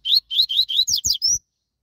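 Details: Double-collared seedeater, a fast, strong singer, delivering a loud phrase of seven clear notes: five rising chirps in a steady run, then two quick down-slurred notes and a final upward whistle.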